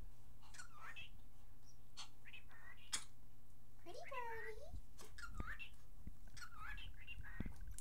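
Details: Pet cockatiel indoors talking, said to say good morning, pretty bird and step up while fixated on its reflection as a dog approaches; several short whistled, speech-like phrases with bending, rising and falling tones, over a low steady room hum.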